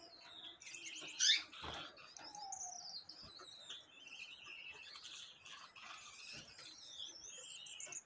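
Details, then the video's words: Gouldian finch singing: thin, high, wavering whistles and faint buzzy hisses running continuously, with a brief louder burst near the start and other small twittering birds nearby. "Diamante de gould cantando"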